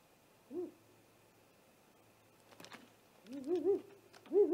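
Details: Great horned owl attacking a great gray owl at its nest, caught by a live nest camera just after midnight on 30 March 2018; one short soft hoot, then a louder run of deep, wavering double-humped hoots.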